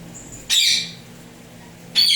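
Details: Tame pet Indian ringneck parakeets of turquoise blue and turquoise blue harlequin colour: two harsh, high, noisy screeches, the first lasting about half a second, the second about a second and a half later, over a quiet indoor hum.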